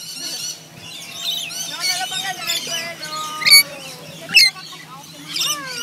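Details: Wild rainbow lorikeets at feeding time in a koala sanctuary, climbing over food bowls put out by staff; overlapping chattering calls, with two sharp, loud screeches midway and more squawks near the end.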